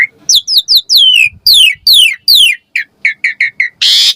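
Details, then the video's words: Javan pied starling singing to lure and train young starlings: a rapid run of falling whistled notes, then evenly spaced short chirps about four per second, ending in a harsh buzzy burst. "Pancingan Jalak Suren Auto NYAUT RESPON Mompa Gacor Full Isian Buat Masteran Suara Burung Jalak Muda"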